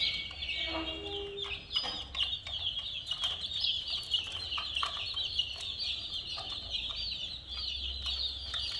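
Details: Coloured domestic chicks peep en masse, rapid high downslurred cheeps overlapping; a few low steady tones appear near the start.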